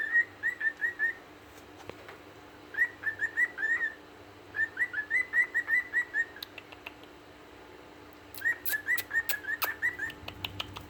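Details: Several male cockatiels sitting in a Christmas tree whistle happily in quick bursts of short, rising notes, repeated phrase after phrase.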